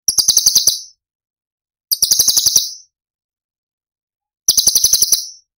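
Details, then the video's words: Cucak cungkok 'tembakan' song in the Cililin style, a masteran recording for training other songbirds: three short, rapid, high buzzy trills of sharp clicking notes, each under a second, separated by silence. "Cucak Cungkok Istimewa ~ Tembakan Istimewa Cililin"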